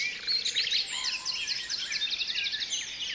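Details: Forest bird chorus: a thick layer of high, rapid chirps and sweeping whistles from many birds at once, continuous throughout, with a faint low tone underneath.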